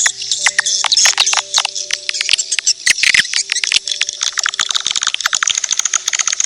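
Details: Edible-nest swiftlet calls used as a lure: a busy mix of high squeaky chirps and rapid clicking, becoming fast, evenly spaced ticks in the final seconds.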